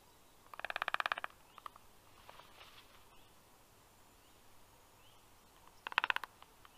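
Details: Black stork at the nest at feeding time, 6:07 a.m. on 6 August 2022, with big fish brought in: two rapid, rattling pulsed bursts, one early and one near the end, over steady background hiss.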